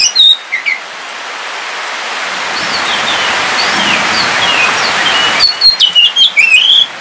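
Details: Kept Kalimantan oriental magpie-robin (kacer wulung) singing during rain: a short burst of sharp whistles, a long stretch of rain hiss, then another lively run of chirping, slurred whistled notes.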